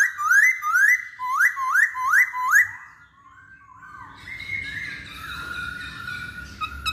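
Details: Masked laughingthrush lure song meant to prompt other birds to sing: seven rising, whistled slurs repeated rapidly over nearly three seconds, then softer, mixed whistles and chatter against a faint low background hum.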